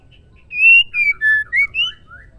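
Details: Female white-rumped shama, likely caged, singing to stir males into song: a short phrase of five clear whistled notes near the same pitch, the first long and level, then shorter slurred notes rising and falling, over a faint low hum.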